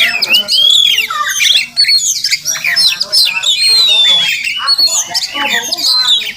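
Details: Wild Oriental magpie-robin, a regular morning visitor to a home garden and possibly nesting nearby, recorded with limited equipment; dense, varied melodious whistles and harsh squawky notes mostly high-pitched, with sweeping slurred phrases and brief pauses.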